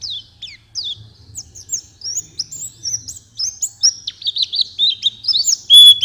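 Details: Master song of an Oriental white-eye for songbird training, with soft, spaced high whistled notes growing into quicker twittering, over a low background hum.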